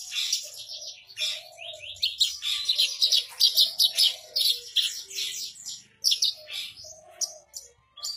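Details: Continuous rolling song of a captive Javan bush lark resting on a stone: rapid, packed high twittering phrases running almost without break, with an underlying low droning tone.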